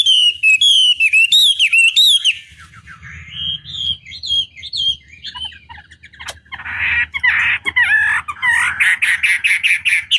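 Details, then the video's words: Chinese hwamei lure song used to challenge other birds; loud whistled slurs at first, then quieter mixed notes, later harsh buzzy bursts and rapid repeated chips. "Pancingan Masteran Wambi Durasi Panjang Efektif Pancing Lwan Agar Nyaut Emosi Gacor"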